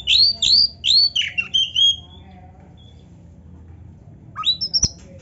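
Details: Oriental magpie-robin singing an ornate filled song (gacor, full isian, narung) with tail flaring: a quick run of loud, sweeping whistled notes, then silence before a brief final burst and a sharp click.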